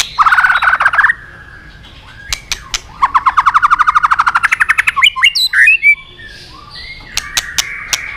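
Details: White-rumped shama, song used as training lure for other shamas. A rapid stuttering trill opens, then scattered clicks, then a long even run of fast rattling notes, followed by harsher buzzy calls.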